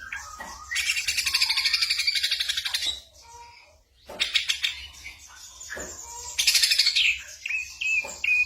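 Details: Ashy drongo imitating other sounds: long harsh buzzy rattles broken by a short pause, then sharp rising whistles and scratchy notes, a varied mimicked sequence.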